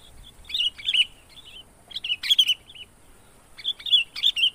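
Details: Sooty-headed bulbul call meant to lure wild birds closer: three short bursts of bright, warbling chirps separated by brief pauses, over a faint steady high-pitched hiss.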